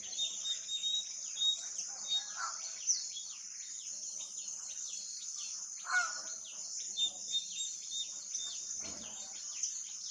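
Scaly-breasted munias give thin, high whistled notes and soft chips at an irregular pace over a steady high insect hiss.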